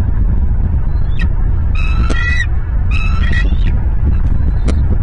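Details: Bald eagles on a nest camera in Southwest Florida, morning of 20 November 2022; two short bursts of high, thin, chattering piping notes with a harmonic edge, over constant loud low rumbling wind noise.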